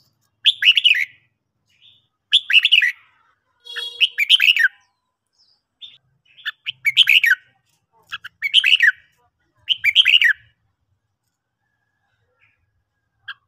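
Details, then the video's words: Morning song of a red-whiskered bulbul used for training: six lively, slurred whistled phrases, each under a second long, repeated about every one and a half to two seconds, with quiet gaps between them. "luyện chào mào hót buổi sáng"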